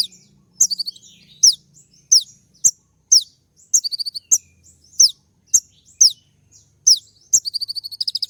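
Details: Sunbird called kolibri ninja in a song recording played in the morning to provoke other birds into answering; sharp high whistled notes and rapid trilled bursts, repeated roughly every half second with quick snapping clicks.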